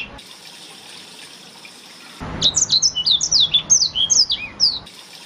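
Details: Blackthroat singing as master song for canaries. Quiet hiss for two seconds, then a lively burst of high, slurred whistles and twittering chirps lasting under three seconds before cutting off.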